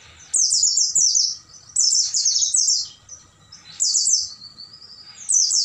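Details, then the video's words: Night song of an Oriental white-eye, recorded to train caged birds to sing: shrill chattering phrases of quick downslurred notes, three bursts separated by brief pauses, faint thin trailing notes between them. "MASTERAN PLECI MALAM HARI,AGAR PAGI GACOR BUKA PARUH dan bongkar isian"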